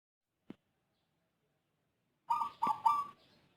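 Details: Zebra dove with an unusual voice, unlike local or Bangkok birds, that calls often and at length, mostly early morning before dawn: one soft click, then a single quick phrase of three rolling, throaty coos after silence.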